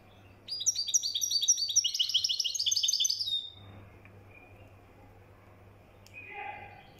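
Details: Moroccan European goldfinch, called mkhantar, pours out a three-second burst of fast twittering and buzzy trills. Quiet follows, and a faint soft sound appears near the end.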